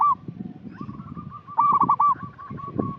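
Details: Local zebra dove (perkutut) singing readily, used as a lure call for untrained birds: a burst of quick rolled cooing notes in the middle, flanked by softer sustained coos, over low background noise.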